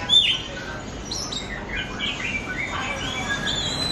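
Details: Oriental magpie-robin used as a singing lure: a sharp opening whistle, then softer warbled chirps and slurred notes flowing continuously over steady hiss.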